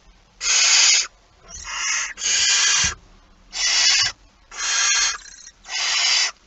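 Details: Just after midnight on 23 September 2019, a barn owl at the nest with prey utters six rough, hissing rasps, each about half a second, spaced irregularly over several seconds, with light thuds in the background.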